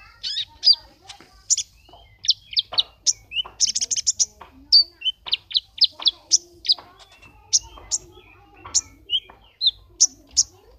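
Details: A brown-throated sunbird named Kumbang, entered in an online song contest from Temanggung in June 2020, sings a lively run of sharp, high chirps and thin whistled notes, several per second with brief pauses, in an otherwise quiet room.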